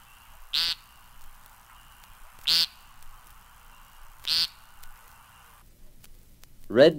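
An American Woodcock gives three harsh, nasal, buzzy peents about two seconds apart over a steady background chorus, and a man's voice starts at the very end.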